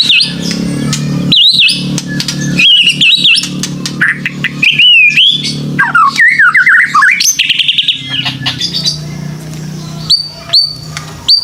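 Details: Varied white-rumped shama song used as a lure for young birds: fluid rolling whistles, looping warbles and dense chatter, then a few sharp high notes after a pause, low hum throughout.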